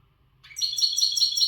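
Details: Rapid, high tinkling trill from a caged, untutored western European goldfinch, strongly in song, with notes pulsing several times a second.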